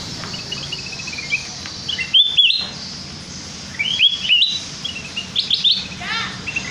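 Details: Lure song of a sooty-headed bulbul for trapping, meant to trigger full singing: clusters of bright, high chirps and short whistled upslurs arriving in irregular bursts over a low background hum.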